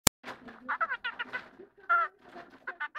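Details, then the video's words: A playful pet kakariki, chirping and biting, chatters in quick bursts of nasal, harmonic chirps and clucky notes, several a second with brief pauses, after a single sharp click at the start. "Kakariki chirping"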